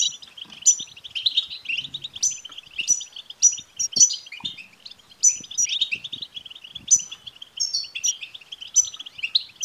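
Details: European goldfinch song meant to trigger singing in a male goldfinch: continuous rapid twittering, bright high ringing phrases repeating roughly every second, liquid trills between them.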